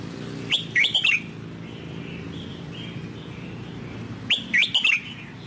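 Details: Sông Kon style song of a newly bought wild-caught red-whiskered bulbul: two short bursts of bright, slurred whistled notes about four seconds apart, separated by quiet with faint low background hum.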